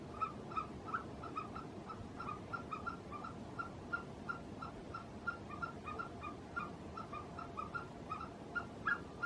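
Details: In the Gilgit-Baltistan mountains a Himalayan snowcock calls in a steady chain of softer clucking notes, roughly three per second throughout, heard against a low rumbling background.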